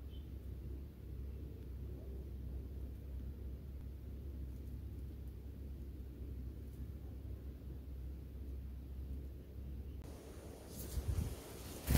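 Low, steady rumble fills the recording with no animal voices, ending in a short burst of broadband noise.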